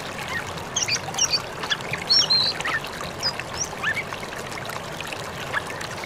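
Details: Oriental magpie-robin giving a forest-style "ngalas" lure song meant to make other magpie-robins answer: a varied string of short, bright whistles and chirps, some sharp and high, over a steady rush of flowing water.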